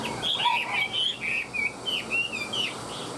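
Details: Chinese hwamei kept in a cage, tail spread, displaying its wings while singing loudly. It delivers varied, fast warbled phrases of bright slurred whistles, one after another at a lively, uneven pace.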